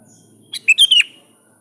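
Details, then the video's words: Sooty-headed bulbul calling to a rival, giving one quick phrase of four clear, liquid chirps, the last note slurring downward, in a quiet setting. "Suara Burung kutilang gacor memanggil lawan"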